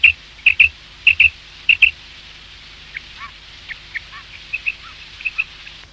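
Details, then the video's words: Male quail (batair) recording for hunting: loud clipped double notes repeated three times in quick succession, followed by fainter scattered notes and soft downward chirps. "quail sounds mp3/ batair ki Awaz 2023 | Bater ki Awaaz"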